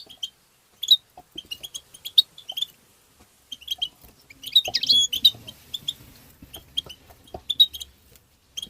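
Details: Goldfinch twittering tabtaba song meant to stimulate birds: sparse chirps building to a dense, buzzy burst midway, then more spaced tinkling notes against a faint low background murmur.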